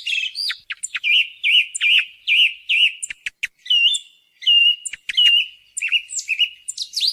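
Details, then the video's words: Song thrush call used as a hunting lure: clear whistled and fluty phrases near the upper-middle range, each repeated two or three times in quick succession, mixed with sharp high ticks and thin squeaky notes, no other sounds. "Reclamo de Zorzal Común El Mejor Para Llamar"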